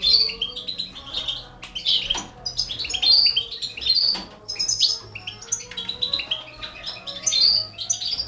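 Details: European goldfinch, balcanica subspecies, feeding four canary babies; repeated sharp high chirps and short tweet runs in lively bursts, with a few soft clicks or wing sounds.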